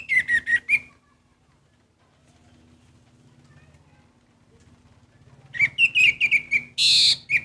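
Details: Orange-headed thrush song: a quick run of descending whistled notes, a quiet stretch with a low hum, then another rapid burst of whistles ending in a loud, harsh, rasping note.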